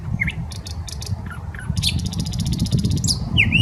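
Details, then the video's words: Song of a nightingale in the Smolenka park, Saint Petersburg: dry clicks and short slurred notes, a rapid rattling trill of even pulses, then a swooping whistle, against heavy low background noise. "Песня соловья"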